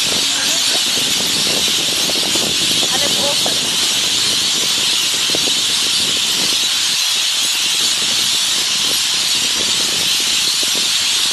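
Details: Lorikeets squabbling for a perch at sunset while flying very fast: a dense, unbroken wall of shrill, screeching chatter from many birds for the whole stretch, with faint low sounds beneath.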